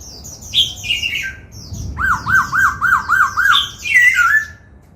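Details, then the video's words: Song-trained cage laughingthrush: an opening high whistle, then a steady run of six looping notes about every third of a second, closing with a loud downslurred whistle. "Khướu hót múa, Luyện Khướu hót giọng bắt cô trói cột, Tiếng chim Khướu hót"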